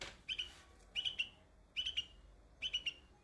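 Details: A young bulbul among white flowers gives four quick clusters of bright, clipped high chirps, each group two or three notes, spaced about three-quarters of a second apart.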